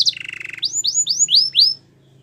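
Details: Belgian canary singing a powerful song: a short high note, then a buzzy rattling trill, followed by five quick upswept whistled notes rising in pitch, about four per second, over a faint low steady hum.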